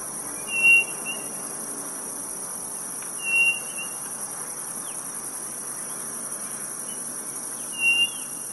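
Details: Quail in Brazil's Nordeste giving brief, clear, level whistles, three in the clip, roughly every three to four seconds, over a constant loud high drone of insects.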